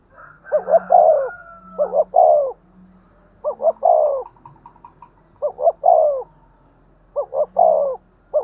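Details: Spotted dove giving its 'thúc gù' coo, used to stimulate decoy doves. Five phrases, each two short clipped notes then a long falling coo, repeated about every one and a half seconds, with a faint low hum underneath.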